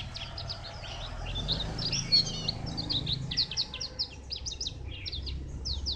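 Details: Bright high chirps and slurred squeaky notes from a white-eye at Phù Yên, 02/10/2015, strung into a quick, irregular twittering phrase over a steady low background hum.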